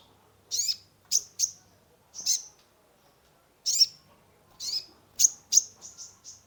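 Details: Sunbird (kolibri ninja) in a cage, its song used to stimulate a stressed bird: irregular series of loud, high, piercing chirps, some doubled, ending in quieter trailing notes.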